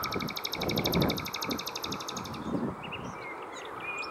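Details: Wild common nightingale singing around seven in the evening along a cycling route between Hoek van Holland and Scheveningen, Netherlands: a fast run of repeated high pulsed notes, about four per second, then brief whistles, over steady rumbling traffic-like noise.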